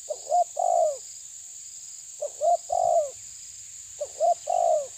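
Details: Three evenly spaced coo phrases from a spotted dove of the tabir kind confronting a rival; each has a short lead-in note, a hiccup, then a long, low, sliding-down coo, and a continuous high whine runs throughout.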